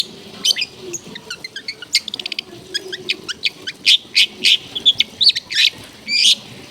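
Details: Long-tailed shrike tutor song played to make lazy or silent caged shrikes sing again; a varied, rapid medley of sharp high chirps, short buzzy trills and clicks, loud bright notes coming in bursts toward the end, with faint low background hum.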